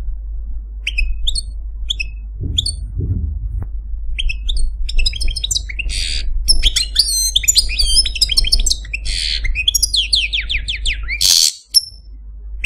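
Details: Caged male Algerian Parva goldfinch begins with a few short, spaced high notes, then builds into a dense tumbling song of trills, whistles and a buzzy burst, over a constant low indoor hum.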